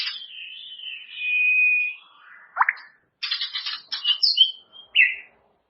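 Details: White-rumped shama master song for training caged birds: a long wavering whistle, then a sharp downward-swept note and a burst of rapid buzzy and chipping phrases ending in a short slurred whistle.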